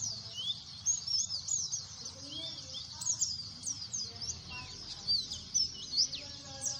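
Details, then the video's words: Noisy white-eye chatter: a dense stream of high, thin chirps and quick twittering notes from several birds, over a low background rumble. "pleci efek suara bising"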